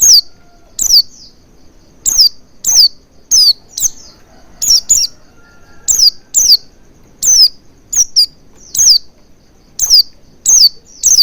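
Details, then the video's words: Oriental white-eye lure for prompting long singing: a rapid, steady run of loud, piercing downslurred chirps, often in quick pairs, filling the whole stretch with only short gaps. "Pancingan Burung Pleci Agar Cepat Ngalas & Buka Paruh Maksimal"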